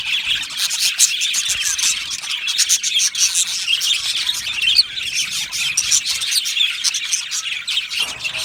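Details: Colony of Australian budgies in an aviary, a steady wall of bright, scratchy chirps and chattering warbles from many birds overlapping throughout.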